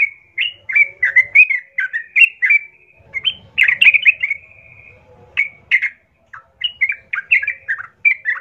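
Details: Sooty-headed bulbul in full loud song used as a lure to provoke other bulbuls to answer and fight: bright bubbly phrases of quick slurred notes, some held whistles, in bursts with brief pauses.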